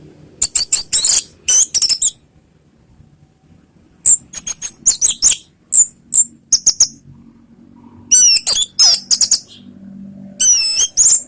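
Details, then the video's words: Orange-headed thrush song used to provoke other birds to answer: bursts of high, sharp chirps and twisting whistled notes in rapid clusters, separated by short pauses, with faint low background hum. "SUARA ANIS MERAH bikin ikut NYAUT NGEPLONG ¦ PANCINGAN Ngeriwik"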